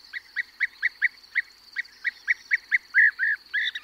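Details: European bee-eater calling at close range from a perch, with others calling in flight: rolling, burry notes repeated about three times a second, the last ones longer and louder, over a steady high background of lark song.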